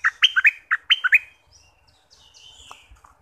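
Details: Southern Thai bulbul recorded for stirring up birds before trapping; two fast bubbly phrases of four or five rich, slurred notes open the recording, followed by faint soft chirps in the background.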